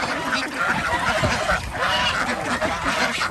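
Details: Ducks at feeding time on a village organic duck farm in Andhra Pradesh, kept with chickens and geese; many birds calling at once in dense overlapping nasal quacks and honking notes, with short repeated harmonic calls throughout.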